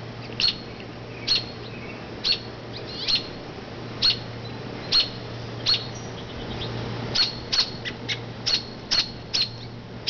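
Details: Female robin near a low nest in an oak, making loud noise from a branch as people pass to draw attention from the nest; bright high chirps at uneven intervals, quickening toward the end, with a constant low hum.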